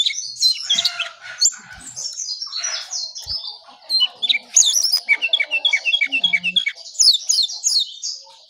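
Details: Brown songlark singing vigorously in the early morning: a dense run of high, quick whistled and chirping notes. Some phrases slur, others repeat in short rapid series, with brief pauses. No other sounds stand out.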